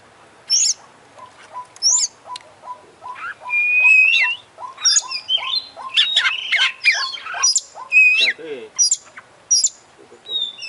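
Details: Champion Oriental magpie-robin in full mimicry song: soft low notes repeating steadily beneath high whistles, swelling into a dense burst of varied trills, slurs and chatter.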